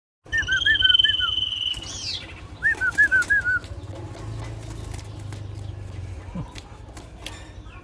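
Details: Common iora of the sirtu fighter type singing short, looping, slurred whistles, a run of five quick notes, then a pause and a second similar run. Steady low hum and scattered clicks fill the background.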